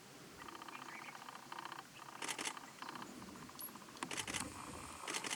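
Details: A Grey Francolin, filmed close up at Jhalana Leopard Reserve, Jaipur, India, in February 2020, gives rapid, pulsed, harsh notes in short bursts, interrupted by loud camera-shutter clicks.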